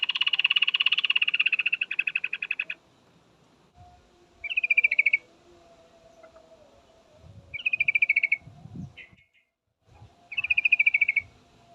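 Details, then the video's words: Female yellow-vented bulbul calling a male: a rapid, buzzy pulsed chatter lasting nearly three seconds, then three shorter chattering bursts spaced about three seconds apart over a faint low hum and scattered low knocks. "suara trucukan betina full memanggil jantan"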